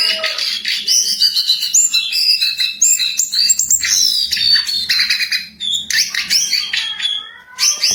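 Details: Jongkangan in full, energetic song: fast chattering and warbling phrases of high chirps and rising whistles, broken by brief pauses.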